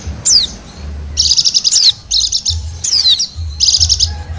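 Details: Lure recording of a wild Bali white-eye: two quick falling whistles mixed with three short bursts of fast, bright chattering trills, high and thin, over low background hum.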